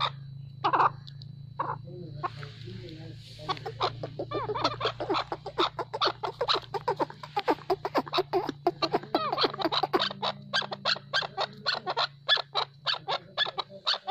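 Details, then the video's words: Chukar partridge, a farm bird, calling; a fast series of sharp clucking chuck notes that builds into a rapid, steady rattling chatter, with a low steady hum beneath. "Chakor Partridge Voice | Chakor ki Awaz"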